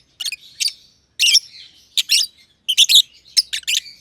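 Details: Close aviary companions, a young green personata lovebird and an older green pied one, give shrill, buzzy chirps in pairs, with pauses of about half a second to a second between groups.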